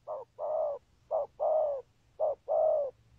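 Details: Three paired coos from a spotted dove singing patterned 'thúc gù' coos. Each pair is a clipped hoot followed by a fuller sustained one, delivered about once a second over a faint low hum.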